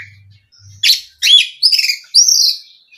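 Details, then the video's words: Short burst of oriental magpie-robin lure song, meant to set other magpie-robins singing: four bright, clear notes, including a sweet upslurred whistle and a drawn-out high whistle, after a faint low hum. "SUARA BURUNG KACER INI AMPUH UNTUK PANCINGAN KACER AGAR CEPAT KONSLET DAN NGEPLONG"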